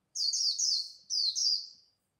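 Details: Dawn líu song of a competing white-eye: two close phrases of sweet, high, slurred twitters, each with several rapid downward notes, then silence.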